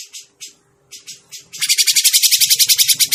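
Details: Grey-cheeked bulbul call played as a trapping lure: a few short scratchy bursts, a pause, then a fast, even train of loud buzzy pulses with some faint low clatter.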